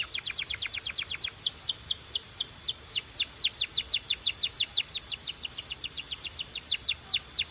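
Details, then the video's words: Canary song, a fast series of clear downward-sweeping whistled notes repeated rapidly for several seconds, each note falling steeply in pitch, with a faint high buzz above. "Relaxing Canary Singing Sounds for Bird Lovers"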